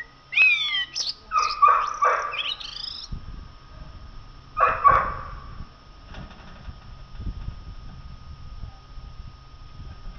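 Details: Common blackbird song: a sliding high whistle opening into fluty, warbled phrases with a harsher twittering run, a brief pause, then another fluty phrase, with a low steady hum and faint rustling behind.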